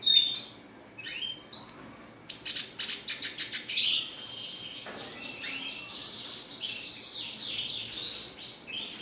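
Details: Red siskin gives a few sharp high notes, then a fast burst of repeated clicking trill notes, followed by a long run of buzzy, descending wheezy phrases.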